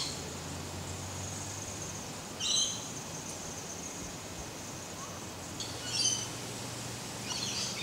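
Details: An eastern spinebill (Acanthorhynchus tenuirostris) feeding at red Grevillea speciosa flowers gives short, high, thin piping bursts: two clear ones about three seconds apart and a fainter third, over a steady low hum.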